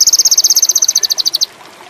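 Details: Sogon bird in strong breeding condition, recorded as a lure song: a short burst of fast, steady, high-pitched pulses repeated evenly for about one and a half seconds before falling silent.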